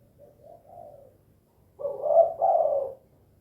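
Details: Tekukur, a spotted dove, giving 'kuk 2' style calling: a couple of faint soft coos, then a loud hoarse two-part coo near the end.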